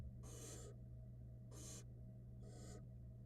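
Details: Young barn owl nestlings in a Florida camera nest box while their mother feeds them: three long, airy, snoring hisses spaced roughly a second apart, backed by a steady mechanical hum.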